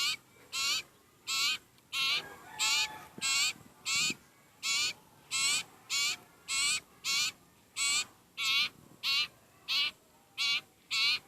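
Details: Begging sirpu, also known as sirtu, very hungry: a steady series of harsh, hissing-buzzy calls repeated about every two-thirds of a second, near twenty notes.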